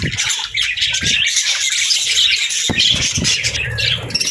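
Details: Pet budgerigars chirping and chattering, said to be happy birds: a dense, continuous wash of high, scratchy warbles and quick chirps from several birds, with brief low thumps near the start and middle.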